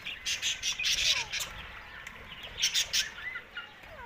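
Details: Rose-ringed parakeet, said to be talking while eating; bursts of harsh, broadband squawks and chirps in two clusters, early and again near the three-second mark, with quieter thin chirps between and faint background bird calls.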